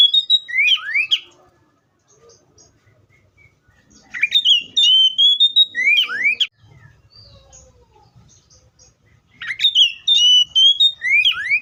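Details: Three near-identical phrases from an Oriental magpie-robin, roughly five seconds apart: clear level whistles rising gently, then swooping upward slurs and crisp chip notes, with soft low rumbling in the pauses.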